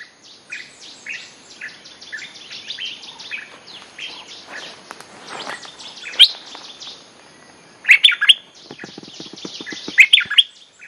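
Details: Bulbul song played as a lure for wild birds: dense chattering whistles throughout, with loud bursts of bright chirped notes around the middle and end.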